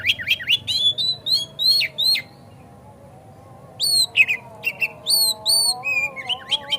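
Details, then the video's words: Oriental magpie-robin song played as a lure to make other magpie-robins sing hard and open their tails: bursts of sharp, high, slurred whistles and chips, a two-second pause, then more rising and falling whistled phrases over a faint low hum. "Pancingan Kacer Agar Cepat Gacor Ngotot Buka Ekor"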